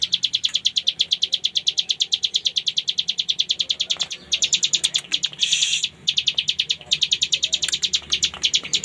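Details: Hill prinia (cigun) delivering 'ngebren' song for cage-bird tutoring: rapid high chipping notes in quick succession, briefly broken around four and six seconds by a short harsher burst, then continuing; soft low background noise.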